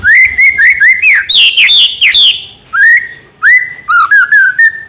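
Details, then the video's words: White-rumped shama tutor song full of fill-ins: rich mid-pitched whistled notes in short rapid groups, bright upslurs and downslurs, with brief pauses between phrases. "MASTERAN MEWAH MURAI BATU FULL ISIAN , SEKALI DENGAR AUTO NYAUT"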